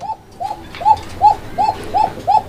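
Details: A Black Bombay pigeon at a breeding farm in Kashimpur, Gazipur, Bangladesh, on 29 January 2025 gives a quick series of short, arched cooing notes; the birds are a breeding pair ready to lay eggs again.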